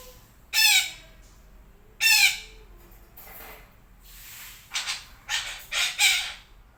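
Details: Morning calls of a red-breasted parakeet: two loud grating squawks a second and a half apart, then a quicker run of four rougher, shorter harsh notes near the end.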